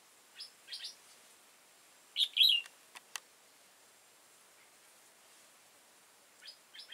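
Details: Wild old red-whiskered bulbul, tall-crested and dark-bibbed, trapped 15 October 2018: soft high chirps, one loud bubbly phrase midway, a few sharp clicks, then more faint chirps near the end.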